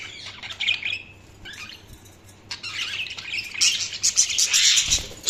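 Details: Budgie chatter: scratchy, high warbling chirps in irregular runs, growing denser and louder toward the end.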